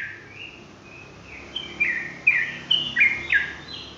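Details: Sooty-headed bulbul singing in lively rolling style: after a quiet opening, short whistled phrases with sharp, bright accents at irregular intervals over steady low background hum.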